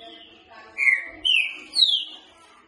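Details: Soft-voiced green-winged saltator sung for training: three loud drawn-out whistles, the first level, the next two gliding, spaced about half a second apart after a quiet lead-in.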